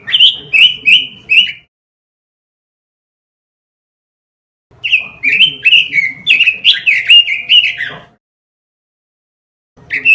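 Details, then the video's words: Masteran lure track of a robin for training caged birds: a few short whistled phrases, a long silence, then a fast tumbling run of sweet slurred notes, another pause, and a final note starting. "Masteran suara burung ROBIN"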